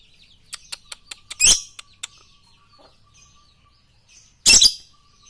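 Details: Lovebird on a masteran training track meant for morning, noon and night: a quick run of thin high chirps, then two loud harsh shrieks about three seconds apart against a quiet background.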